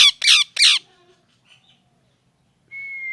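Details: Parrot giving three loud, harsh squawks in quick succession within the first second, each broad and raspy, then near silence before a thin steady whistle-like tone near the end; indoor room sound.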